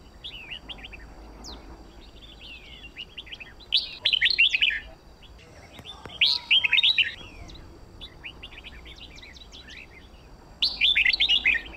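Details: Red-whiskered bulbul singing for song-contest training: soft scattered chirps lead into three loud bursts of rapid warbling whistles, each about a second long, several seconds apart, against low background hiss.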